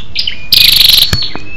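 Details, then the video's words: Calling female scarlet-backed flowerpecker used as a lure to stir males: a brief high chip, then a half-second dry buzzing rattle and a thin sustained whistle afterwards. "SÂU ĐẦU ĐỎ MÁI RO KÍCH TRỐNG- Giọng MỒI HAY"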